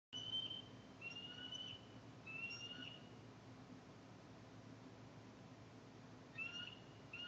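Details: Bald eagles at a northeast Florida nest on 4 February 2019, recorded by a nest camera: short bursts of thin, high whistled piping notes with quiet gaps between them.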